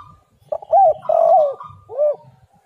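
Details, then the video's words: Lure song of a spotted dove: rapid sequence of soft arched coos, a longer falling coo and a final softer curved note, over a thin steady higher tone. "derkuku super gacor suara angin Topan"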